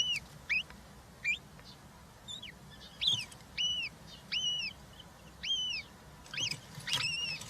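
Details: European roller chicks, three in the nest, recorded by a live nest camera on 20 June 2023 while being fed: clear arched, hooked squeaky calls repeated roughly every half second to second.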